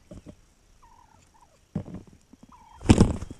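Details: Wild turkey recorded on May 7, 2021: a quiet stretch with faint soft notes near one kilohertz, then a single loud, harsh, rattling burst near the end of the clip.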